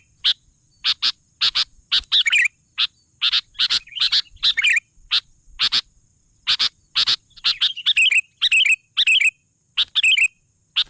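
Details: Sooty-headed bulbul (kutilang) singing persistently: rapid sharp clicking chips in quick succession, broken by bubbly, wavering whistled phrases, which grow busier toward the end.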